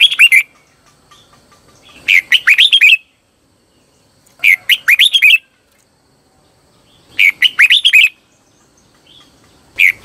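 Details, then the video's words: Decoy red-whiskered bulbul singing to draw wild birds: clear, bubbling whistled phrases about a second long, repeated roughly every two and a half seconds against near silence. "CHÀO MÀO HÓT CHÉ GỌI BỔI CĂNG ĐÉT"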